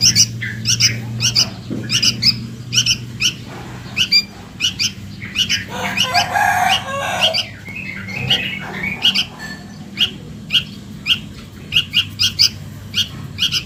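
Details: Young sooty-headed bulbul calling for its mother, a lure recording: sharp paired chirps repeated through the recording, broken midway by a louder harsh rustling burst, with low background hum.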